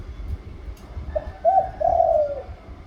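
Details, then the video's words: Spotted dove singing in the pa roi liu tan style with a middle-rising voice: a brief soft note, a short coo, then a longer drawn-out coo sliding slightly downward, over low rumbling background noise. "นกเขาใหญ่ ป่าร้อย หลิวตันเสียงกลางขึ้น"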